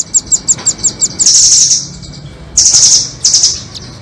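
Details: Trapping lure of nuthatch song, doraemon and red-billed types: a row of about eight evenly spaced bright tik notes that runs straight into an extended sizzling high trill, followed by two more trill bursts.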